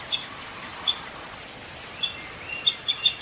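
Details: Downy woodpecker giving short, sharp, high calls: single notes spaced nearly a second apart, then a quick cluster of four toward the end, against a soft steady background hiss.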